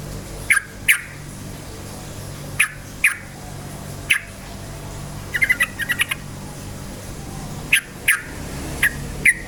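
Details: Spirited yellow-vented bulbul lure song for stirring up other bulbuls: repeated sharp double chirps spaced every second or two, broken midway by a rapid burst of short stuttering notes, over a faint low drone.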